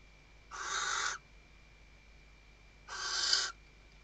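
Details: Western barn owl female, Riet Vell Nature Reserve, Ebro Delta, Spain, 2023, calling the male during nest stuffing; two drawn-out, grating hissy screams with a slightly tonal edge, about two seconds apart.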